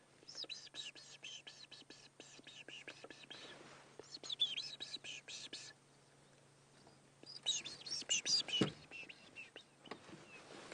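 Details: Canaries in a tree in the African bush on a morning safari drive give quick bright chirps and twittering notes in two bursts, with a red-billed hornbill nearby, soft whispered speech and a low steady hum.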